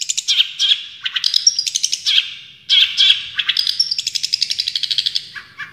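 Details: Champion Long-tailed Shrike (cendet) singing in the full tembakan style: rapid bursts of sharp, buzzy chattering notes, some in fast repeated trains, mixed with brief clear whistles. The song is high and bright, with no other sounds.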